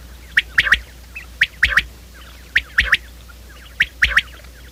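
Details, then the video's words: Quail call used as a morning lure for trapping quail: sharp, clipped notes in quick groups of three, each group repeated about every 1.2 seconds, with faint nasal calls of another bird in the background. "batair ki subbha keliey awaz"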